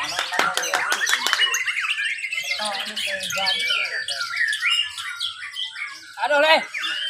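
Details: White-rumped shamas (murai batu) competing at a bird singing contest in Mimika, Papua, with 'full isian' and 'roll tembak' song styles: dense, overlapping, rapid whistled and chattering phrases, sharp high notes, with faint human voices underneath.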